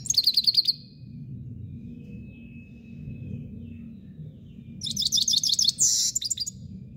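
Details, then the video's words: Himalayan goldfinch giving two bursts of quick, high, tinkling twitter separated by a few seconds of quiet, over a low background rumble. "canto del jilguero d'El himalaya"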